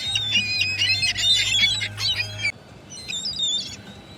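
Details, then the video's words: Gulls squawk and wail rapidly over a low hum for two and a half seconds, then a few fainter high cries follow in quieter surroundings. "Seagull noises"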